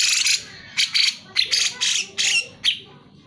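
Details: Loud cucak jenggot song used to prompt lazy birds to sing: a run of about eight harsh, raspy notes, each ending in a short whistled tail, spaced roughly a third of a second apart.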